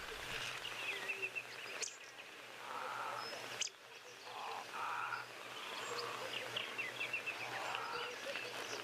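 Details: Egyptian geese, present but resting on a Saturday, give an odd low harsh honk. Short blocky calls repeat every second or so, with thin whistled calls of other birds above in an open outdoor setting.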